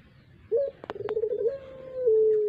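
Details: Puter pelung collared dove kept as a lure bird: a brief stuttering coo near the same pitch runs into a long, steady, slightly falling note, with two sharp clicks early on.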